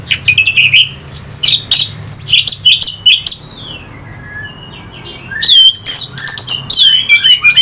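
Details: Orange-headed thrush, caged, song used to excite fighting birds; energetic bursts of high sharp chirps and slurred whistled notes, a quieter gap midway, then another dense rapid phrase, low hum beneath.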